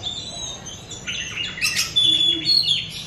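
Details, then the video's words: Oriental magpie-robin lure recording, played to encourage pet birds to sing and learn new sounds: a dense run of high scratchy chirps and clear whistled notes, growing louder and busier after the first second, over faint background murmur. "PANCINGAN KACER BAHAN BARU BELAJAR BUNYI"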